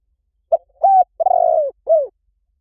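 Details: Large dove from Thailand giving its call: one brief coo, then a sustained coo, a longer wavering falling coo, and a final downslurred coo, all low and hollow against silence.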